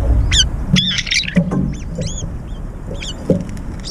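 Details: Brown-eared bulbuls battling in flight to claim a feeder's food bowl. Sharp, high squeaky notes with bent, hooked shapes come in loose series over a rumbling background and soft thuds.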